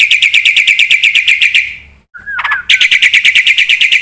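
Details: Black-winged myna in full 'gacor' song with fill-in phrases, recorded for luring and tutoring other birds: steady rapid chatter of bright repeated notes, a brief drop-out, a short slurred whistle, then the chatter resumes.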